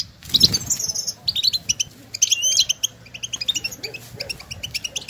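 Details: Outdoor recording of European goldfinches calling to one another to stimulate singing; rapid runs of high, tinkling twitters in bursts, fading into a continuous soft chatter.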